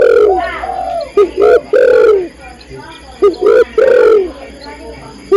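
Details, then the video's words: Female spotted dove giving calls to attract a male: repeated loud, low coos, a brief note and then a sustained descending coo, in about three phrases with faint chirps between them. "tekukur/derkuku betina memanggil jantan"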